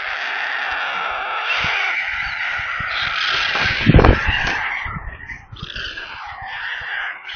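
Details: Hungry white stork chicks in a nest near Kaluga, central Russia, filmed by a live nest camera: continuous harsh, rasping screams with a loud burst midway, over low thumping bumps from the nest.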